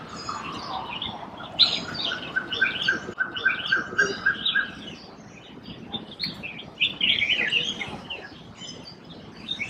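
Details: Asian koel, filmed in 2018 while drinking and calling, gives a quick series of about eight even, clear notes at a steady pitch over a busy chorus of high chirping songbirds.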